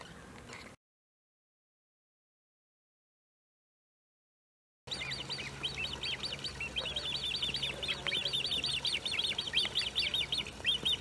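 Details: Great crested grebe family with young, Maasbommel, 1 August 2018: after a short gap of silence, a dense chorus of thin, high, arched piping notes repeats quickly and continuously, with a faint low hum underneath.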